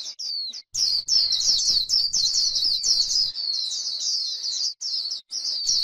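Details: White-eye on grassland: after a couple of short opening notes, a fast, continuous, high-pitched chatter in the líu style, with brief breaks toward the end.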